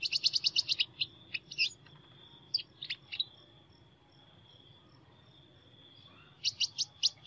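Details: Sunbird with an unusual voice: a fast rattling burst of high chips opening, scattered sharp notes, a long quiet gap with a steady high hum, then another quick series of high chirps.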